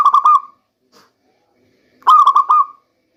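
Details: Lure song of a local zebra dove for the rainy season. Two soft phrases about two seconds apart, each a rapid run of rolling coo notes that stretches into a final held tone.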